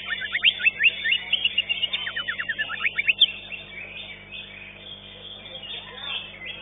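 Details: Competition song of a green leafbird (cucak ijo) that took fifth place at a singing contest. A long run of quick, repeated rising chirps for the first three seconds, then a dense background of other contest birds.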